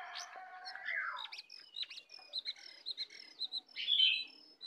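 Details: Sooty-headed bulbul in a fierce song duel between a wild and a caged bird, its song full of 'isian' inserted phrases: a falling slurred note, then clipped chirps repeated about twice a second, ending in a louder burst.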